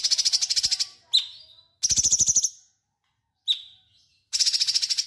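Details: Vigorously singing cucak cungkok bulbul used to tutor magpie robins: bursts of fast, pulsing high-pitched trills alternate with single sharp descending whistles, separated by short silences.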